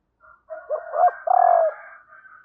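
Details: Female spotted dove calling to provoke males: a soft lead-in, a rising wavering note and a long smooth low coo, overlaid by a faint steady higher-pitched hum throughout.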